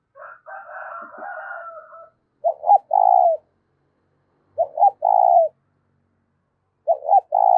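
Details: Spotted dove calling to excite decoy birds, with a strong clear voice. A burst of mixed higher chattering from other birds opens, then three spotted dove phrases follow. Each has two short notes and a longer purring coo.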